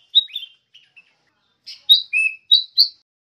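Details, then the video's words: Sooty-headed bulbul in the wild giving bright whistled chirps: a pair of quick notes, a few faint ticks, a pause, then five clear, sharp notes at a brisk pace, against a silent background. "CANTIKNYA KICAUAN KUTILANG DI ALAM"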